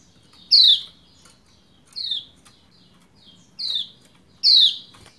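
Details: Female Lombok white-eye prompting a male into song; four sharp descending high chirps roughly every second or so, first and last strongest, over a low steady hum.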